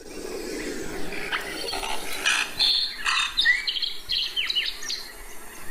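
Lark Sparrow song: a quick jumble of very short notes, buzzes, chips and clear tweets, mostly high-pitched, over faint background hiss and a low rumble.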